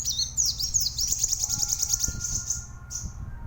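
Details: Plain sunbird singing vigorously in a recording used to train other songbirds: thin, very high-pitched rapid twittering of sweeping, wavering notes that runs together, then trails off with one short final note; faint low hum beneath.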